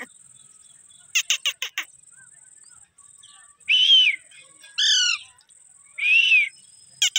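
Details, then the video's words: A pet talking parrot gives a quick run of four clipped notes, then three loud, harsh, grating screeches about a second apart, over a faint steady high hiss. "Natural parrots sound"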